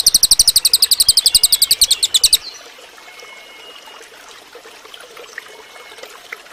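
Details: Cililin bird training song: a two-second run of rapid, thin, high-pitched repeated notes, about eight a second, followed by a faint hiss and a few thin distant whistles from other birds.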